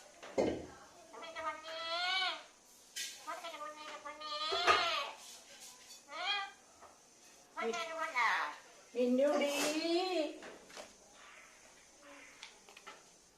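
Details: Talking pet parrot producing a series of short, voice-like syllables with wavering, gliding pitch, grouped in bursts separated by brief pauses across about thirteen seconds.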